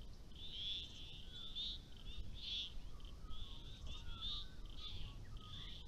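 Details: A female Australasian darter (white breast), caught by a motion-sensing camera at a small dam on 30 August, gives a string of harsh, buzzy bursts, about two each second, with faint lower whistles from another bird and a low background rumble.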